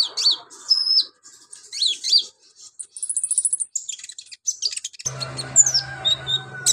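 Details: Lively olive-backed sunbird song for training other birds: twittering warbled phrases, a fast buzzy high rattle, then sparse squeaky chirps and sweeping whistles over a low hum.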